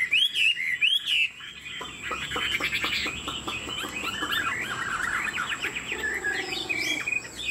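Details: Caged Chinese Hwamei, said to be 90% pure, flicking its wings and nodding while singing: loud, varied song opening with two slurred upward whistles, then a fast, dense run of chattering and warbled notes, with a faint steady high tone behind.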